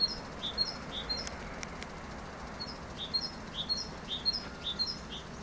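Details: Great tit song with bright two-note phrases, each a short rising note and a higher clipped note, repeated in a brisk series, some phrases softer and more distant, over constant low background noise.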